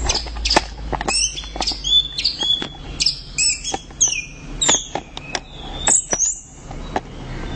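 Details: Orange-headed thrush pouring out loud continuous song of high, sharp chirps and short slurred whistles, mixed with frequent dry clicking sounds.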